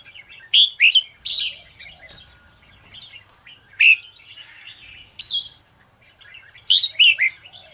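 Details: Red-whiskered bulbul in morning song, used to train birds: loud, rich warbled phrases repeated every one to two seconds, with softer scratchy chirps and twitters filling the gaps.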